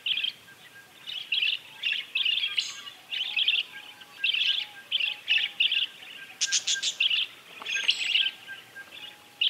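A common linnet sings a rapid, twittering song of short chattering phrases around two to four kilohertz, repeated about every half second, with a few higher clicks.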